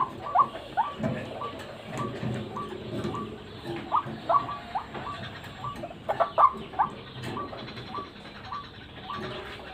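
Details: White-breasted waterhen (ruak-ruak) call used to lure birds: short, upward-hooked notes repeated rapidly and fairly evenly for the whole clip, over steady background noise with some clicks.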